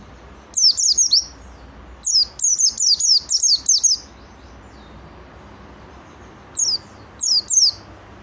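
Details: Oriental white-eye in full song: rapid strings of high, piercing downslurred whistles, a long run then a short trio after a pause.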